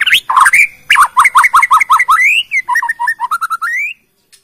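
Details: Bornean white-rumped shama pouring out its song repertoire to lure other shamas into singing: a rapid chattering run of quick, bouncing whistled notes, roughly four per second, ending abruptly in silence.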